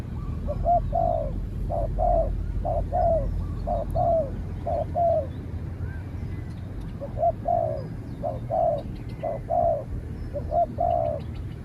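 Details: Spotted dove taken out to challenge a wild spotted dove, which keeps away before being chased off; long series of paired hoarse coos, a pause midway, then more phrases, with faint clicks and low hum behind.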